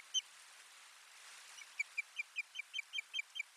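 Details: Osprey at its nest, 1 May 2020, bringing in soft nest lining: one sharp whistle, a pause with faint rustling, then eight clipped whistled chirps repeated at a brisk pace.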